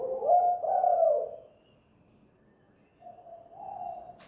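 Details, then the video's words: Close, loud cooing from a spotted dove kept at home as a decoy, 'kuk gantung' style: a rolling two-part coo, a pause, then a softer drawn-out hoot in a quiet room. "PIKAT 2 KUK/ GUK GANTUNG tekukur/derkuku GACOR DI RUMAH"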